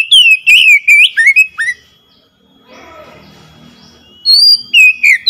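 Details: Oriental magpie-robin singing to stir a silent bird into song: a rapid run of loud swooping whistles, a quieter murmur of low mixed sound in the gap, then bright rising and falling whistles again.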